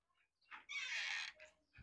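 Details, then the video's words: Captive grey francolin in a large cloth-covered cage, said to call day and night: a loud, harsh, high-pitched half-second screech, then a fainter shorter note and a soft thump. "Teetar Bolain Rat Din🔥تیتر بولیں رات دن"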